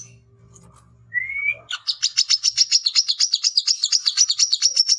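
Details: Brown-throated sunbird male, called wiceh locally, chattering in search of a rival to fight. A soft low hum and one rising whistle come first, then a steady stream of quick, high, ticking chips.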